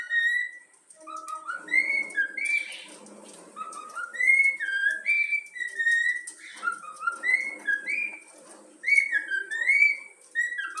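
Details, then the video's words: Young yellow-cheeked pet cockatiel, trained by its owner, whistling the Flamengo anthem: clear tonal whistled phrases that step up and down between notes, some rising or bending, in bursts separated by brief pauses, with soft background noise. "Bochecha amarela cantando o hino do flamengo"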